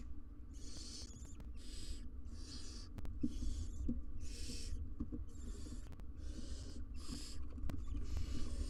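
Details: Live-cam recording of wild barn owls, a pair with three nestlings in their nest box; a steady series of harsh, snoring hisses, about four every second or so, over low rumble.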